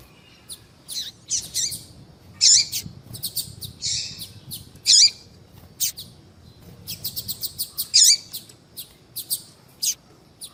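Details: Female double-collared seedeater calling, used to excite males: scattered high chirps, short buzzes and clipped notes in irregular groups, with quiet gaps and faint low background noise.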